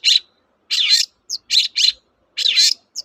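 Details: Lure recording of a Long-tailed shrike to get reluctant birds singing. Harsh, raspy chattering notes come in short bursts, with a few brief high clicks between them.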